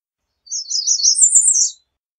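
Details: Song variation of an American redstart, a quick series of high, sharp notes lasting just over a second, starting lower and jumping higher midway before falling at the end, with a clean, quiet background.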